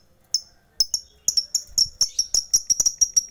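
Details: Fighter-type lovebird calling out to rivals, a lure meant to rouse silent lovebirds into singing; sharp high chirps start sparse, then come faster and faster into a steady run of bright repeated notes.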